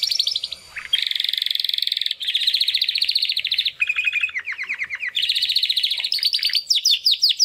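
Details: Young male Timbrado canaries, two brothers from 2020, trying to sing after their first molt; continuous song of fast rolling trills, pulsed tours and rapid descending note series changing every second or two.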